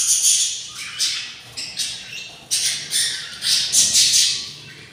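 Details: Six hungry budgerigar chicks in their parents' nest at day 24 give rough, wheezy squawks, each burst swelling and fading, about six surges in five seconds.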